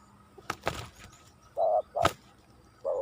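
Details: Lure spotted dove facing a strong wild rival; a few short, soft coo notes broken by sharp clicking knocks.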